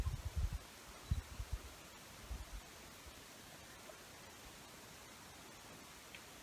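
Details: Low rustling thumps over a steady hiss, with no animal voice heard.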